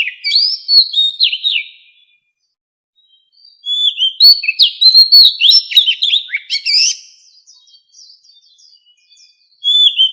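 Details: Captive-bird voice training with the wild forest song of a white-rumped shama. Several bursts of bright, varied whistles with sharp downslurs and clicks are separated by short quiet gaps.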